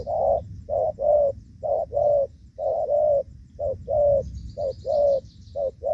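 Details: Spotted dove, used in a trapping session in the rainy season around 5 pm on 23 July 2024 after rain, giving soft, low, hollow coos in quick uneven phrases, about one note per second, with faint background hiss.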